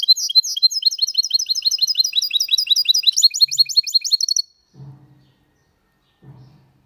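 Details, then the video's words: Hybrid of goldfinch and canary delivering a long, clean Málaga-style song: a rapid, rhythmic stream of high chirping notes for over four seconds, ending abruptly, followed by two faint low thumps. "Mixto de Jilguero Cantando Limpio (Video HD)Mulet de Chardonneret X canari /hybrid goldfinch singing"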